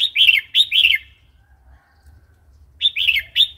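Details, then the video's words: Red-whiskered bulbul wild-style song, used to teach young and wild-caught birds; rapid lilting whistled phrases of two or three notes repeated in quick succession, a pause, then the phrases resume, over a soft low rumble. "เสียงนกกรงหัวจุก เพลงป่า"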